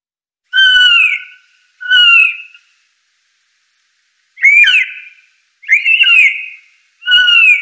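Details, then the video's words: Blue Jay (Cyanocitta cristata) gives five clear, ringing whistled notes, each under a second long and slightly slurred, in two pairs and a final note with short pauses between. "Blue Jay.Bird Song."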